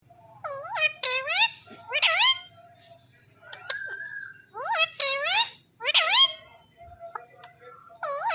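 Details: Blue ringneck talking parrot indoors giving a series of harmonic, swooping notes that rise then fall, in bursts of two or three with short pauses, some sounding voice-like; a low hum runs underneath.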